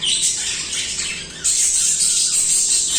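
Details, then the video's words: Budgerigars chirping in a steady, harsh, high squawky chatter that grows louder and denser halfway through. "Budgies singing/chirping"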